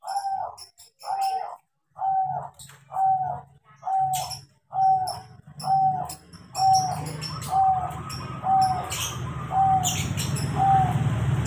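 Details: Crossbred zebra dove, trained to sing, singing actively: a long run of short cooing notes, about one per second, each ending in a clipped whistle, while a rising hiss and rumble of background noise builds to cover the later notes.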